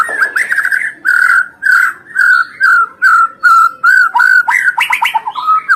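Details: Song of a white-rumped shama, meant to provoke rival birds. Clear mid-pitched whistles, each held briefly and repeated steadily about every half second, ending in a rapid jumble of higher notes.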